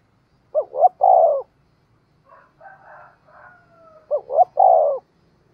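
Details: Spotted dove cooing all day as a decoy for wild birds; two loud three-part coos about three and a half seconds apart, with softer muttered notes between them.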